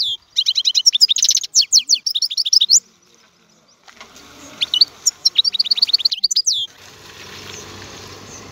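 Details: European goldfinch song with quick buzzy trills and sharp twittering notes in two bursts separated by a brief quiet gap, ending in a steady soft hiss of background noise.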